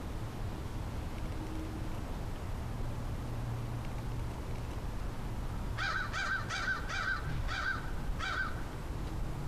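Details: A crow caws in the background beyond a person calling to it: a series of about six harsh, short caws in quick succession near the end, over steady low rumble.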